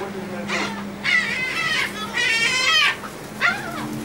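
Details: Gulls receiving food on board a Texel ferry in the Netherlands, 28 March 2014: a sequence of long, wavering, whining squeals and a final rising-falling cry, with a droning ship engine in the background.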